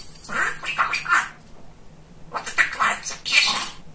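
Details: Talking male budgie kept as a pet: a short run of three squeaky speech-like syllables, a pause of near silence, then a second burst of raspy, warbling chatter.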